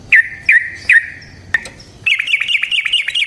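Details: Yellow-vented bulbul song meant to lure other bulbuls into singing: three sharp, downslurred chirps spaced under half a second apart, then a quick, bubbling chatter of rolling notes.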